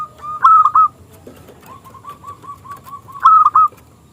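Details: Perkutut, or zebra dove, of local stock singing in a small, clear voice as a lure for rival doves: a loud stuttered coo phrase, a run of soft evenly spaced notes, then the loud phrase again.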